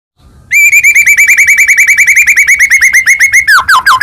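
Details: White-rumped shama (murai batu) in full song, used as a lure to provoke other shamas into singing: a long, loud, rapid run of about twenty identical upslurred whistled notes, ending in a quicker falling flourish.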